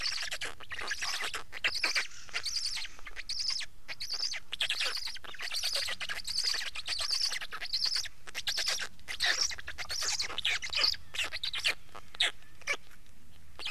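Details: Black stork making a long, steady stream of hoarse, wheezing bursts repeated rapidly, slightly fading in the last seconds.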